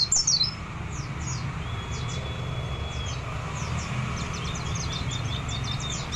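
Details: Caged white-eye, a mimic of other birds' songs, sings quick bursts of thin, high, downslurred chirps, with one long level whistle held over a second, over a steady low background rumble.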